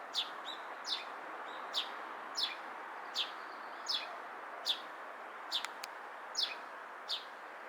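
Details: Sparrow in Japan chirping steadily, about ten sharp descending notes spaced under a second apart, with faint distant traffic noise beneath.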